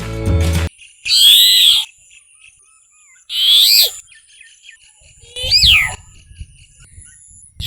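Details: Brahminy Starling, a migrant bird in Sri Lanka, giving three bursts of high, squeaky, warbling notes with rising slurred whistles, about two seconds apart; music is heard briefly at the start.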